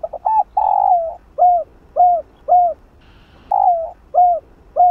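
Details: Spotted dove used as a decoy, cooing in the chiêu 3 hậu style to get a freshly caught captive dove to call: a long rolling coo followed by four short arched coos, then the long coo again and two more short ones.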